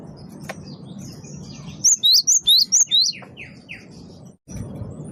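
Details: Great tit, the gelatik batu wingko, singing loudly for use as a bird lure. A rapid run of six bright notes alternates high and lower, then fades into softer descending chirps before a brief break.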